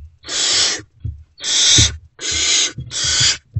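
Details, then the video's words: Owlets of the great horned owl in a nest box before dawn, hungry and reacting as an adult returns: four loud breathy rasping hisses, each under a second long, with soft low thumps and shuffling in the gaps. "Owlets Still Not Fed. React to Return of #GreatHornedOwl."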